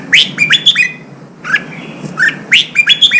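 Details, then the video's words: Red-whiskered bulbul, a wild-caught bird being stimulated and trained for singing contests, gives loud, bright whistled phrases with sharp rising notes, repeated several times in quick bursts, over a low steady background hum. "Kích chào mào bổi hót, kích bổi sổ giọng, luyện chào mào hót đấu"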